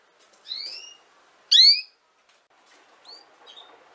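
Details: Canary, recorded for teaching young canaries to sing: a soft rising whistle, then a loud bright upward-sweeping chirp, followed by faint short high notes.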